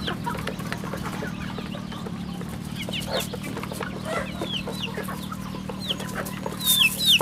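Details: Many chicks on a rural chicken farm keep up a continuous run of shrill, falling peeps, several each second, growing louder near the end over a low mechanical hum.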